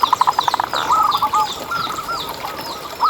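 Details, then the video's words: Lure recording of a local zebra dove singing to prompt others. It opens with a rapid stutter of short notes, then low rolling coos that rise and fall. Thin high chirps from small birds come from behind. "Lokal Gacor Suara Paling ISTIMEWAcUntuk Pancingan Burung Perkutut Agar BunyiTerus"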